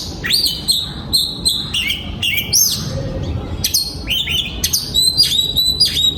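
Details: Oriental magpie-robin singing in a breeding aviary, 2022: clear whistled phrases of varied notes, some sliding down, others short and sharp, given in quick bursts with brief pauses between them, over a low background hum.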